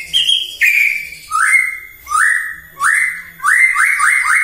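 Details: Morning white-rumped shama song used as bait for other birds: mellow, mid-pitched whistles rising then holding, repeated at an even pace and quickening into a rapid run at the end.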